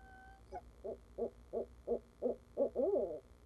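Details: Barred owl, the father visiting a live-streamed nest at Leesville in 2015, gives a run of about seven evenly spaced hollow hoots that speed slightly and end in a wavering, overlapping caterwaul.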